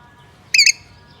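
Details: A parrot's single quick double squawk, two harsh buzzy notes in rapid succession, against near silence.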